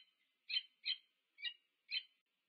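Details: Meeting of a Peregrine falcon pair at a nest in UC Berkeley, USA, on 2 November 2022, four separate scratchy calls spaced about half a second apart over a soft, continuous hiss.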